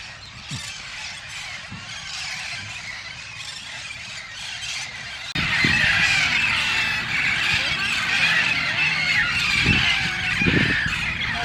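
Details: Hundreds of Amazon parrots flocking into trees at a park in Harlingen, South Texas, at sunset in spring fill the air with constant harsh squawks and shrill squeals, growing louder midway, with faint voices beneath.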